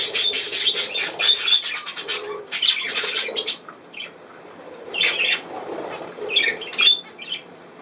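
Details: Pet budgerigars at play, recorded 27 August 2024: dense bursts of scratchy, high chattering squawks for the first three and a half seconds, then scattered short chirps with quiet gaps.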